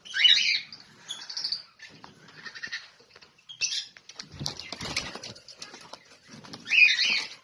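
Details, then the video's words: Lovebirds chirping: harsh, buzzy chirps in short bursts, with loud clusters at the start and end and softer scattered chirps and rustling between them. "lovebirds chirping sounds."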